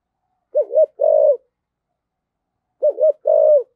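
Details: Spotted dove 'thổ sấm' style decoy call. Two identical phrases, each a short double-hooked coo followed by a longer, steady drawn-out coo, separated by about two seconds of silence.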